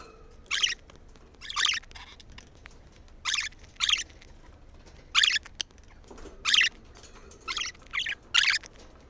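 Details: Budgerigar sounds for stimulating females to mate: well-spaced harsh chirps, about eight bursts at irregular intervals of roughly one to one and a half seconds, over quiet background.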